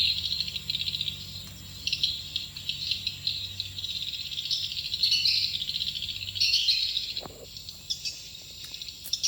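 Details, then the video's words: Swiftlet lure call meant to draw birds into a nesting building, a continuous high chattering twitter in pulsing bursts, with a faint low hum and occasional clicks. "Suara panggill burung walaet"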